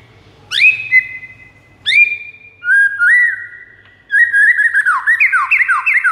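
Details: White-rumped shama master song used to lure rival shamas: sharp upswept notes open into long steady whistles, then a run of quick downslurred whistled phrases repeated rapidly to the end, with a faint low hum behind.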